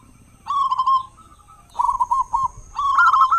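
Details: Local zebra dove, loud and singing well, a lure to prompt other doves to sing in morning and evening; three bursts of rolling, staccato cooing notes separated by short pauses.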